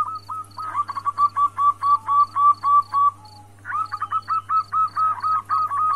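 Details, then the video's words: A female zebra dove calling to a male gives two runs of quick, soft, rolling coos, each a rapid string of about ten notes, over a faint repeated electronic beep and a low hum. "Suara perkutut betina memanggil jantan"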